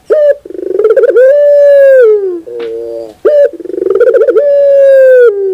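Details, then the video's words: Puter bird, meaning collared dove, gives two loud rolling song phrases: a clipped opening note, a run of rapid throbbing pulses and a long even coo that slides down, separated by a softer low double note. "your puter bird will definitely sound"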